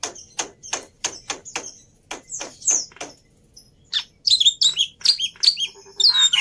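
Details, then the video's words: Black-winged myna training song: spaced scratchy chips with short whistles, then a rapid jumble of squeaky slurred whistles and rasps. "Pancingan Plus Masteran Burung Jalak Putih full Isian Mudah Di Tiru"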